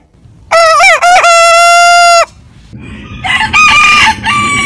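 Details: Rooster from a compilation of heritage chicken breeds giving a loud, long crow: two short opening notes, then a sustained even tone held about a second, followed by a second, more distant rooster crowing in rougher, broken phrases.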